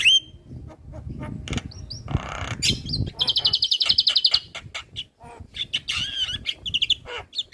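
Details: Training recording of a Javan myna in full song, bobbing its head: scattered whistles and harsh notes, a rapid stuttering trill of about a second, then twisting whistled phrases, with some low background rumble early on.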